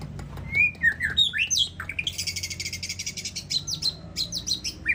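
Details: Contest-winning white-rumped shama sings at the SMBF Ladong competition: loud clear whistles and twisting slurred notes, then a long rapid buzzy rattle, followed by more sharp, high chirped phrases.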